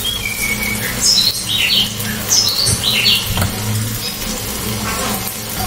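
Cililin song: sharp, high chirps and short bright phrases in quick bursts, about one or two a second, over a low traffic rumble.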